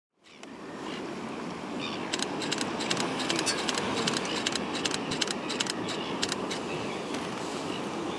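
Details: Continuous roar of ocean surf with scattered sharp crackles and splashes, and no animal calls.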